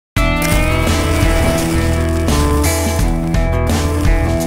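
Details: Loud instrumental music with sustained tones and a steady beat fills the whole stretch.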